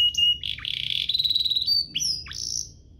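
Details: Canary song used to teach young canaries and to spur them to sing. Short whistles lead into a sustained warbling trill, then sharp upward-sweeping notes and a final drawn-out whistle.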